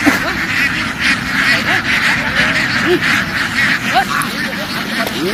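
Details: Farm ducks in a field, a large flock running into water and jumping back ashore; dense overlapping nasal quacks and chatter from many birds, with rustling and splashing throughout.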